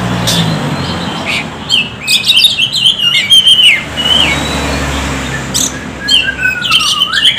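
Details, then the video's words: Oriental magpie-robin used as a lure song to prompt other magpie-robins to sing: a lively run of clear whistles, slurred notes and harsh chattering bursts over a low hum of distant traffic. "SUARA KACER PIKAT"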